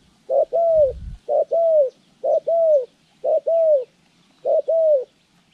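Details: Trapping-training Spotted dove, January 14, 2020, cooing steadily: five paired phrases, each a clipped note followed by a drawn-out, gently descending coo, roughly one per second, with a single soft thump near the start.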